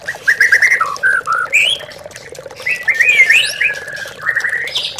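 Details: Oriental magpie-robin (murai batu) song played to train captive birds for contests: short stuttered notes, then clear slurred whistles and a bright twisting phrase, over a low steady hum.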